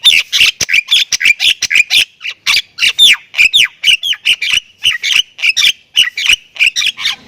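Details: Javan myna of the Thai type in loud, energetic 'gacor full isian' song packed with varied phrases: rapid harsh squawks and chattering notes, about two per second, with several sharp rising and falling whistled slurs midway.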